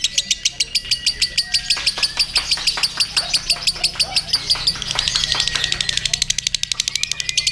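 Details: On the contest pole, a lovebird chatters its ngekek in quick repeated harsh notes, pausing briefly then resuming faster and tighter toward the close, with another bird's whistles in between.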